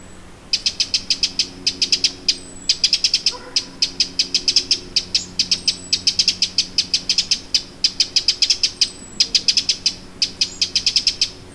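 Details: Late July 2017 at Lake Vänern, Sweden, a Eurasian wren gives persistent alarm calls: long runs of rapid hard ticking, with thin high whistles of another bird and a low background hum.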